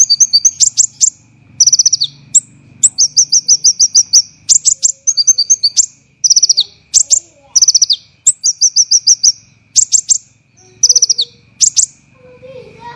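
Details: Olive-backed sunbird (konin) in a training recording for songbirds, dense, harsh 'tembakan' style: bursts of sharp, very high chips and quick descending trills in tight clusters separated by short gaps, over a faint steady high hum.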